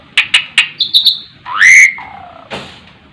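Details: Jalak suren, the Asian pied starling, giving its 'terkuku' song: three dry clicks, a few high ticks and a thin whistle, then a loud upslurred whistle easing into a lower drawn-out note, ending in a rasp.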